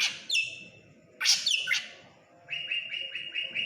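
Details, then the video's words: Srigunting krantil drongo singing energetically: a drawn-out harsh downslurred note, then a loud grating burst, followed by a rapid train of short buzzy chattering notes, with faint low background rumble. "srigunting krantil gacor"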